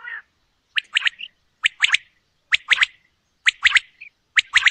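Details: Common quail, called batair and described as female, giving sharp three-note bursts that rise steeply with bright overtones. The groups repeat about every nine-tenths of a second over a quiet background.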